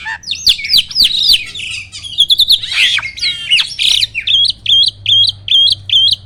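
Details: Black-winged starling song used to coax silent starlings into singing: dense tumbling squeaks and slurred whistles, then about six matching chirped notes repeated at a steady pace.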